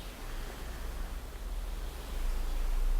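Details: Low rumbling noise with faint rustling that grows slightly louder toward the end, and no animal voice.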